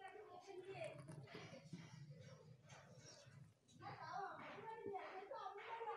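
A ringneck parakeet chatters speech-like words in a rapid, slightly nasal voice, with a person's voice and room sounds in the background.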